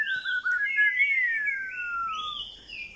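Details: White-rumped shama singing long, pure whistled tones that glide slowly downward, overlapped by a fainter higher whistled line, against a steady low background hiss.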